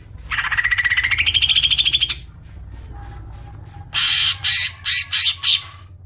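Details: Greater green leafbird lure sound to trigger long chattering: a fast rattling trill rising in pitch for two seconds, a quieter gap with steady faint ticking, then loud harsh noisy bursts.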